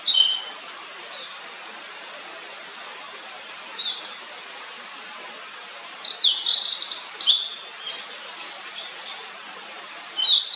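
A blue-and-white flycatcher gives short, high whistled notes and a brief warbled burst, spaced irregularly over a soft, steady background hiss.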